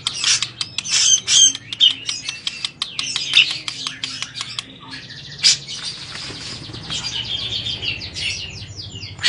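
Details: A bathing grey-cheeked bulbul gives a busy run of harsh chirps, squawks and quick high chattering notes, with bursts of splashing water between phrases.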